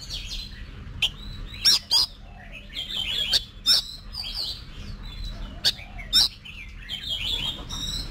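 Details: Oriental magpie-robin in training for singing competitions, giving varied high whistled phrases broken by sharp clicking notes, with slurred rising and falling notes between loud accents; a low steady hum runs underneath.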